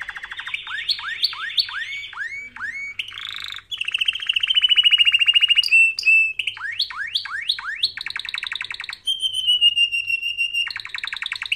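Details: Canary singing for canary training, a loud, continuous song of rapid rising slurs, rolling trills and long steady whistled tones, with phrases changing every second or two and very high ringing notes.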